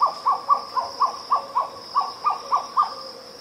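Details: Grey plantain-eater calling cu-mcu: a fast, even run of about eleven hoarse, clipped notes, roughly four per second, each slightly falling in pitch, over a constant high insect buzz.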